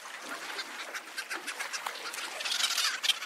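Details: Cape petrel calling and singing: a dense, continuous chatter of rapid, harsh cackling notes, several overlapping and irregular, with brighter squeaky accents near the end.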